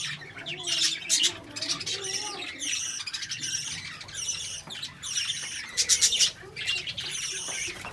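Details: Lovebirds chirping: dense bursts of shrill, high squawks and rapid tweets, loudest around one and six seconds, with overlapping calls suggesting several birds and faint low background hum.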